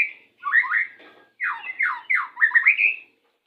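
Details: Short burst from a Pastol white-rumped shama, song meant to bring birds into breeding condition at pairing: a series of loud, downslurred whistled notes, each dropping in pitch, in quick succession.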